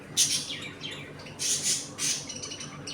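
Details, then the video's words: Budgerigars in a home colony, eating, playing and fighting; quick run of raspy, high chirps and squawks in close succession, over faint hum. "Budgies Eating and play time in my home colony."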